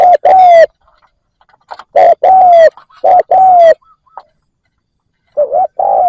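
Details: Decoy spotted dove used to lure wild doves, giving loud, mellow coos in short phrases, a brief note then a longer slurred one, repeated about every two seconds with pauses.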